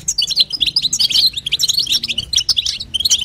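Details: Female European goldfinch calling to stimulate the male in 'batbata' and 'sitsita' style: brisk, high, liquid twitter notes tumbling one after another with only tiny gaps.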